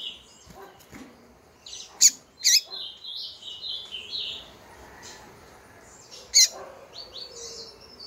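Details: Female double-collared seedeater calling persistently to stir up males: short, thin high chirps and sharp clicks scattered irregularly, with a few louder accented notes and brief whistled slurs between them over a quiet background.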